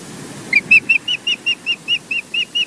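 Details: Wild osprey at a Loch Garten nest in Scotland, seen on a live nest camera as the male comes to mate with the female; a steady run of eleven high, clear chirped whistles, evenly spaced about five per second.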